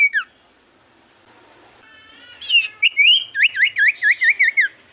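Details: Javan white-eye song used as a lure for other birds: a few opening chirps, a soft harmonic buzz, then rapid repeated V-shaped whistled notes, about two per second.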